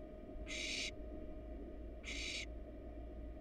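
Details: A wild barn owl chick in its nest box casts an owl pellet; two breathy, noisy hisses about 1.5 seconds apart stand out above a continuous low-pitched hum.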